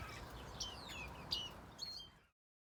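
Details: Azure tit, an aviary-bred bird flying free in a villa garden, giving a few high thin chirps and short whistled notes about every half second, ending in silence.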